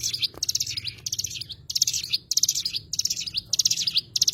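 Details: Cigun, the Oriental white-eye, delivers quick high-pitched twittering phrases with sharp upward-flicking notes, about six bursts separated by brief pauses over four seconds, over a soft low hum.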